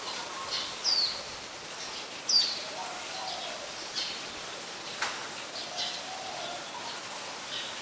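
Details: Scaly-breasted munia, a very common resident, recorded in Ubon Ratchathani, Thailand, on 31 December 2020: two thin, high, downslurred calls near the start, then faint soft chips over steady background hiss.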